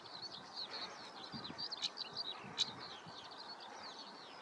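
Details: A European stonechat in Spiere, Belgium, on 1 July 2024 gives two hard, stone-tapping ticks about a second apart over a steady, thin, high twittering warble that runs throughout.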